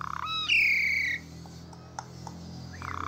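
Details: One full phrase of lively Asian pied starling song for prompting stressed birds to sing: a harsh buzz then a strong falling whistle, followed by quiet and the start of another rasp.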